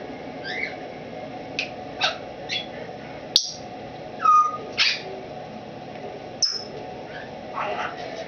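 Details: Female Timneh African grey parrot over 20 years old, a wild-caught former breeder kept in a cage indoors and finding her voice in a new home: short chirps, sharp whistled notes and a falling whistle, scattered across the recording with quiet pauses.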